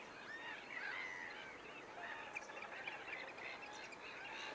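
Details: Whooper swans at Nosterfield, 28 February 2015, captured with a Panasonic GX7 through a Swarovski scope: several birds calling together in an overlapping chorus of nasal honks and higher clipped notes, continuous and busy, with a steady noisy background.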